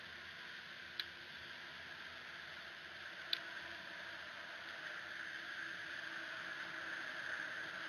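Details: Steady hiss fills the recording, broken by two sharp clicks near the start, with no animal call.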